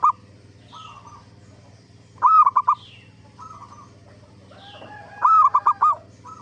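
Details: Zebra dove lure song for prompting other zebra doves to reply: two loud phrases of a rising coo and rapid clipped notes, softer coos in between, faint high chirps from other birds and a low hum.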